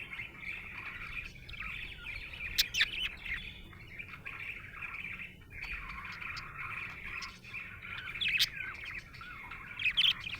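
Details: Happy pet budgerigar chirping steadily: a long, chattering warble of squeaky notes and buzzy trills, punctuated by several sharp clicking ticks and brighter squeaks toward the end.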